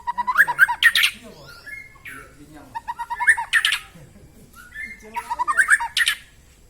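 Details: White-rumped shama in full loud song, played to rouse lazy shamas into singing: rich phrases of harsh squawky notes and whistles repeated in bursts about every two and a half seconds, clean with little background.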